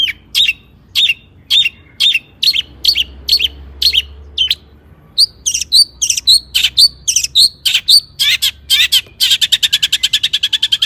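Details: Singing long-tailed shrike rich in imitated material, used to provoke other shrikes to sing: sharp chirps spaced about half a second apart, then a quick varied jumble of notes, finishing in a fast even trill.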